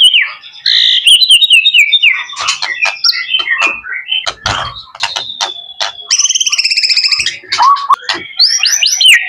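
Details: Pet young male white-rumped shama in full song: a continuous, inventive stream of clear whistles, slurred glides, sharp clicks and a fast buzzy trill, with many changes of pitch.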